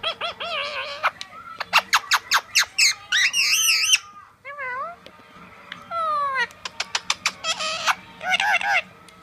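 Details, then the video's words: Pet blue male Indian Ringneck chatting to its reflection in a mirror, a busy stream of squeaky talking sounds, wavering whistles and fast sliding notes with brief pauses. "Talking Indian Ringneck"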